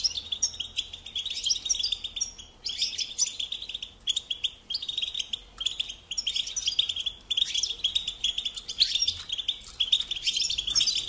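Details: European goldfinch singing on a recording for training young birds: bursts of fast, high twitter separated by short gaps, each burst a mix of chirps, trills and quick slurred whistles.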